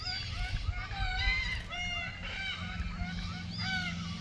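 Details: Red-tailed black cockatoos in the wild at Keep River National Park, June 2023, around mating time: a series of grating, slightly falling screeches roughly every half second, layered and ringing, with low background rumble.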